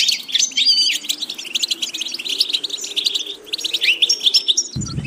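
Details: Goldfinch song used for training a bird's vocal repetitions: fast, dense high twittering with bright buzzy trills and short whistled slides, nearly continuous, over a faint low wavering hum.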